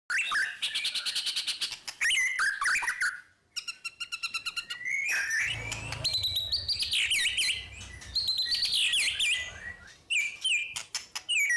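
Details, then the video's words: White-rumped shama in long unbroken song used to stimulate other birds: rapid rattling trills, buzzy bursts and sweeping whistled phrases packed densely together, with a brief pause partway through. "Murai Batu Ngerol Panjang Tanpa Putus – Suara Pancingan Gacor"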